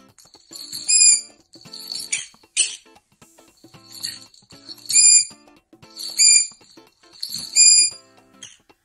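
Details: Green-cheeked conure, a talking pet parrot, gives sharp, high, whistled squawks in short bursts, about one per second, with brief scratchy notes between; call.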